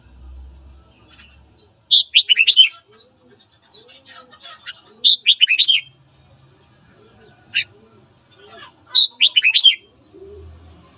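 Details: Morning singing of a red-whiskered bulbul, a training recording to stir fighting: three near-identical fast warbled phrases at roughly three-and-a-half-second intervals, with soft background chatter and faint other chirps.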